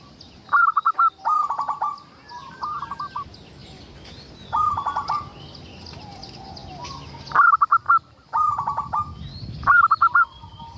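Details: Local zebra dove singing often, used as a lure to draw other zebra doves into song: about eight short cooing phrases, each a bright rapid stutter of clipped notes ending in a rolled coo, separated by pauses of varying length.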